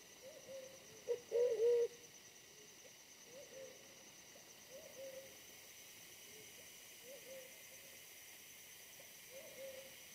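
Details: Wild pigeon during decoy trapping of wild pigeons, a bird smaller than the decoy but very fierce: low, hollow coos, a louder burst of three near the start, then softer single coos every second or so over faint hiss.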